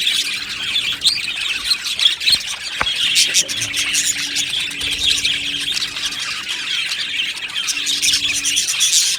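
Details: Budgies chirp and squeal together, an unbroken mix of high twitters, scratchy warbles and short piercing notes from many birds.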